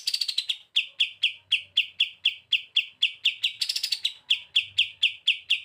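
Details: Energetic kapas tembak in bren beset masteran song: two quick rattling flurries of rapid notes, each followed by steady sharp chips at about two per second.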